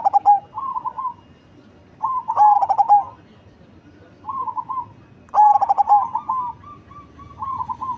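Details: Cemani zebra dove, large-bodied and deep-voiced, giving two loud bursts of quick pulsed coos that each end in a longer held note, while softer rolling trills from other doves fill the gaps.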